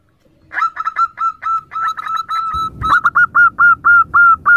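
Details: Zebra dove call building from a quiet start into a steady series of crisp, evenly repeated cooing notes, fusing briefly into a drawn-out tone before resuming as regular clipped notes with some background rumble.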